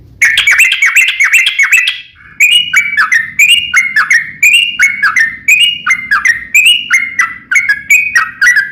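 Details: Long, energetic song of a sooty-headed bulbul, played to coax other bulbuls into singing back; quick bubbly notes at first, then evenly spaced chirping phrases that slide downward, repeated roughly twice a second, with faint low background hum.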